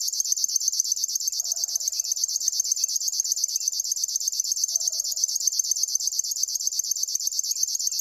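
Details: River warbler singing a continuous, cricket-like reeling of fast pulses. Two soft lower calls from another bird sound during the stretch.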